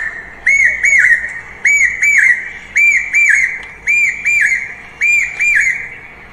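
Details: Common hawk-cuckoo, a bird common in every village in Bangladesh, played from a phone: loud, shrill whistled notes in arched pairs, repeated about once a second, heard as "chokh gelo", over a faint background hiss.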